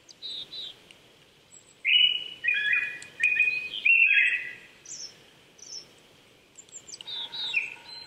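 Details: Morning song of a Japanese thrush, April, 800 m elevation, Saitama Prefectural Forest in Chichibu, Japan: a burst of rich whistled phrases after a quiet start, then high thin notes and a soft steady tone from other birds.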